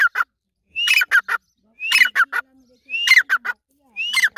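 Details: Grey francolin, known locally as Irani teetar, giving a loud repeated call: a rising whistle launching a rapid cluster of shrill, grating notes, phrases roughly every second, with a faint low hum beneath.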